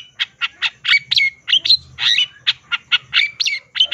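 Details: Long-tailed shrike, a caged songbird brought back into song, giving a steady run of loud, rough notes about four per second, mixing harsh squawks with sharp whistled slurs.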